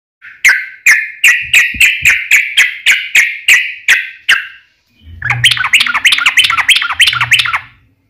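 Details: Caged yellow-vented bulbul singing a fighting song with a long rapid trill, used as a lure to provoke other bulbuls to answer: about a dozen evenly spaced bright notes, then a dense fast chattering trill over a faint low hum.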